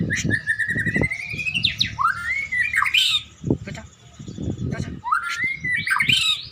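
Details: White-rumped shama, a contest songbird, warming up before a singing contest: loud, rich whistled phrases, first a quick rising run of clipped notes, then sweeping slurred whistles and sharp upward flicks, over low knocking and thumping noises.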